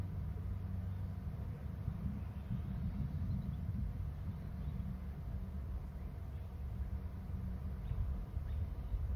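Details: Heavy low outdoor rumble of wind and distant traffic, with no calls standing out.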